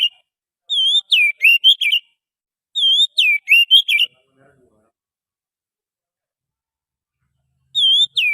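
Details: Oriental magpie-robin wild forest song played as a lure, a phrase of clear level whistles followed by quick sliding, warbled notes, repeated about every three seconds, then a long pause before it starts again.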